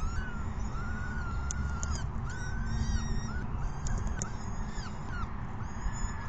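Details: At a May 14, 2021 evening feeding around 6 PM, peregrine falcon chicks utter long curved whining begging calls alongside brief sharp clicks, with strong low background noise throughout.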